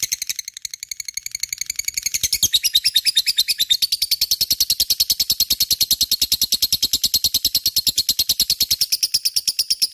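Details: Gacor lovebird, sung as a lure to get other birds singing: softer scratchy chatter at first, then from about two seconds a loud, dense, very rapid high-pitched chattering trill that continues evenly to the end.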